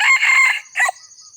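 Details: Red junglefowl crow used as a lure for wild birds: a loud, harsh crow lasting about half a second, then a brief clipped second burst, with a steady high insect whine behind.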